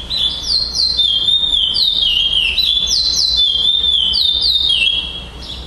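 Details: Caged young brown male chestnut-bellied seed finch performing in a singing tournament in Florianópolis, Brazil, 11 December 2011, taking first place. It delivers bright, high whistles that step up and glide down, repeated about four per second without pause.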